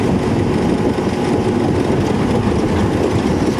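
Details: Steady, loud rumble of an idling vehicle engine during an evening game drive in the African wild, with no animal calls standing out.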